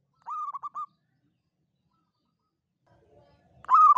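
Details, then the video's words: Zebra dove of a local Indonesian strain, recorded as a trapping lure with the long 'kuk 7' Mataram rhythm. A short phrase of four clipped cooing notes, a long silence, then a louder drawn-out coo starts. "PANCINGAN PERKUTUT LOKAL KUK 7 PANJANG SUARA ANGKATAN UNIK"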